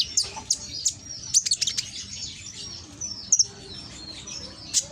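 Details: Loud konin lure song, Gresik, East Java, meant to get lazy konin to reply. Sharp, very high chips ring out singly and in quick clusters, with quieter stretches in between.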